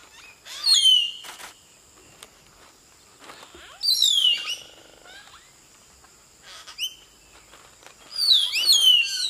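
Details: Common hill myna singing in Nagarahole National Park: three loud bursts of varied, piercing whistles sliding steeply downward, a few seconds apart, over a steady high insect drone.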